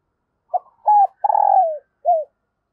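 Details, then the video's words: Single cooing phrase from a female dove, meant to stimulate males: a short opening note, a flat double note, a long rolling coo that trails down, then a brief falling note, in silence. "Tiếng chim Cu Mái Kích Trống Hiệu Quả"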